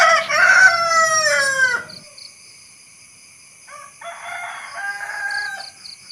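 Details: Rooster crowing close by: a loud, buzzy, multi-part cry that slides downward and stops abruptly, followed after a pause by a fainter, more distant crow answering.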